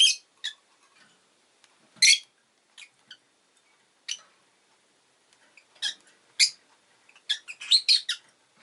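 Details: Rosy-faced lovebird calling repeatedly with piercing, high, scratchy chirps in irregular bursts, ending in a rapid cluster of shrill notes, with city sounds such as car and motorbike engines also present.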